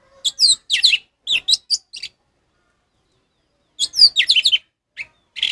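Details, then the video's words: Orange-headed thrush song meant for tutoring captive birds that have gone quiet: two quick bursts of sharp, varied whistled notes, with a long silent gap between them and a brief final note. "suara Anis merah ngeplong untuk masteran burung Anis merah macet"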